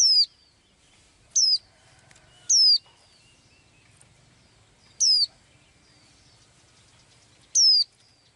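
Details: A small blue-eyed songbird heard every day: five sharp, high whistled notes, each falling quickly, spaced irregularly by one to two and a half seconds, faint low rumble beneath.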